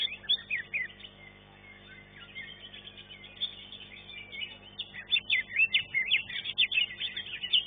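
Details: Green leafbird competing in a caged bird-singing contest, finishing third: a jumbled stream of quick chattering and whistled phrases, quieter mid-clip then loud and busy again, with constant background hum.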